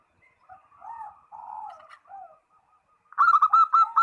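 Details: Perkutut, or zebra dove, calling a rival: low, soft gurgling coos at first, after a pause a loud string of sharp, evenly spaced ringing notes.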